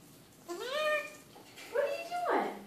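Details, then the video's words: Pet Eclectus parrot talking indoors in the evening: two drawn-out, rising-then-falling nasal calls rich in overtones, a meow-like note followed by a second call that sweeps down, in a quiet small room. "Evening talk with Eclectus Parrot"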